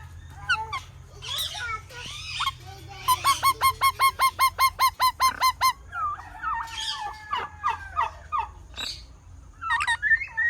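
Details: Parrot chattering with harsh notes, then a long rapid series of ringing down-slurred calls, nearly three per second, followed by varied whistles and squeaks.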